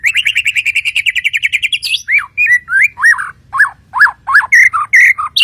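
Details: Song of a white-rumped shama from Kalimantan, Borneo: a fast run of about twenty clipped repeated notes, followed by loud varied whistles that swoop down and up, delivered in quick succession.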